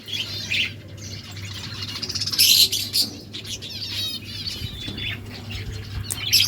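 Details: Budgies chirping back and forth, rapid high warbled notes and buzzy trills in loose bursts, with a constant low hum in the background.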